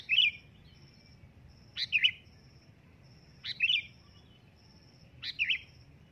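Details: Sooty-headed bulbul calling loudly. Four brief, bubbly, chuckling phrases come about every one and a half seconds against a quiet background with a soft pulsing high note.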